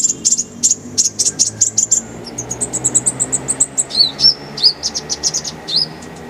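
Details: Kolibri ninja (purple-throated sunbird) tutor recording, full of varied phrases with rapid rolling bursts. Very high, thin chips and ticks in fast strings, then sharp downslurred whistled notes and quick twitters. Faint low background hum.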